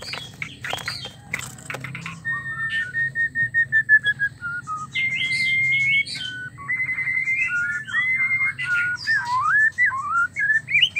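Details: White-rumped shama mating sound, played to get males singing: a burst of sharp high notes, then a series of clear whistled notes at steady pitch, followed by varied warbling whistles that rise and fall.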